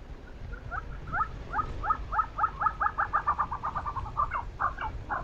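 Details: Tibetan snowcock (Tetraogallus tibetanus) taking a snowbath on snowy rocky slopes in Ladakh, Western Himalayas, gives a fast series of short, clucking mid-pitched notes, speeding up to about five per second, with a low rumble of wind beneath.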